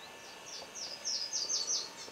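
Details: Booted racket-tail (Ocreatus underwoodii discifer) giving a series of thin, very high, quick chipping notes, about three per second, over a faint background hiss.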